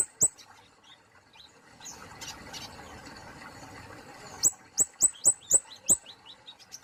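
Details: Kemade polos songbird of Indonesia: an isolated high chirp, a quieter stretch, then a quick burst of shrill downward-slurred chirps and softer rising notes.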